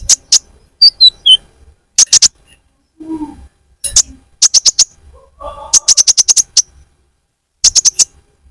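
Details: Sunbird calls used as bird-catching lure sound. Clusters of two to six sharp, very high ticking chirps separated by short silences, with a few faint lower murmuring sounds between.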